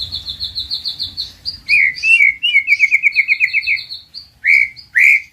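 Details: Male white-rumped shama singing a master song meant to rouse silent birds: a fast train of high clear notes, then lower slurred whistles repeated in quick rhythmic series, ending in separate rising whistles.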